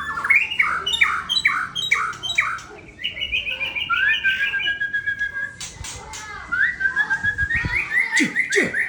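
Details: Murai Aceh, a white-rumped shama from Sabang, pours out varied whistled song: a run of bright rising notes, a long level whistle, then rapid repeated chips and a final burst of clear notes.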